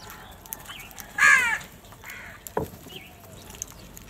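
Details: A single loud harsh caw from a crow in a large flock, followed by softer distant calls and a brief knock.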